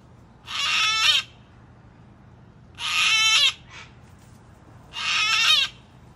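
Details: Wild cockatoo calling: three loud, harsh, raspy screeches, each lasting under a second, repeated roughly every two seconds against a quiet background.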